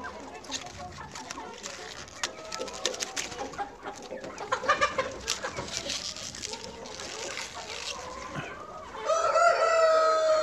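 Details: Farm Australorp chicken flock: busy clucking and scratchy background noise for most of the stretch, then a clear, sustained rooster crow begins near the end.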